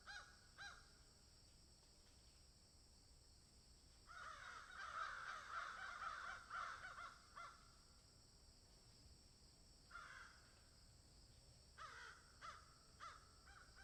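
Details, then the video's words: Cawing crows in a field: a few isolated caws, then a loud chorus of overlapping harsh caws from several birds for some seconds, followed by scattered shorter caw bursts and quieter gaps. "Crows Caw in Field"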